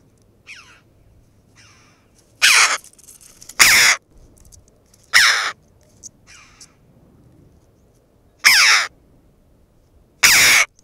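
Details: A flock of Red-billed choughs on the western Asturian coast of Spain, curiously inspecting a camera, breaks into loud, harsh, ringing 'chee-ow' calls in bursts of about half a second, with fainter flock calls between, then suddenly falls silent.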